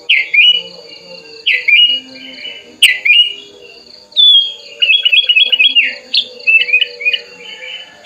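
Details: Hand-reared tame sooty-headed bulbul singing with wings open toward a rival; rich slurred notes repeated about every second and a half, a sharp click, then a trill of stepped chirps and warbling phrases; low hum throughout.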